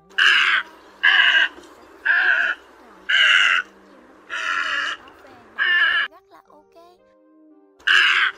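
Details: Great Egret giving harsh, rasping croaks, each about half a second long and repeated roughly once a second, with a brief faint tonal whine near the end; a call used as a lure for night net trapping during August 2024 migration.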